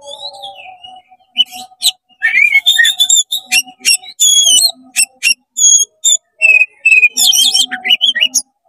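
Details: Oriental magpie-robin in fast, full 'konslet' song, tail spread, meant to rouse other magpie-robins: bright whistled notes, sharp rising and falling slurs and quick clipped chips in rapid bursts, over a faint steady low hum.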